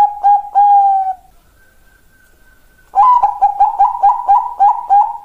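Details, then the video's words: Bangkok-type zebra dove, a female calling a male, used as a lure and model song. Two short coos lead into a longer held note, then after a faint tone comes a brisk burst of about twelve rhythmic pulsing coos. "Master dan Pancingan Perkutut Bangkok"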